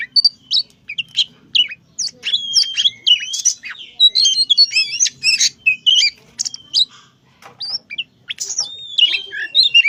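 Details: Oriental magpie-robin, a young tame bird, singing eagerly for ten seconds: rapid sequences of bright whistles, clicks, harsh squeaky notes and warbled phrases, barely pausing, with a short lull near the seventh second.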